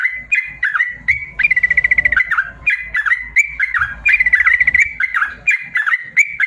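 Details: Training song for lazy caged yellow-vented bulbuls in the long 'ropel panjang' style: sharp down-slurred notes alternating with two long even trills, repeated in a steady chattering pattern.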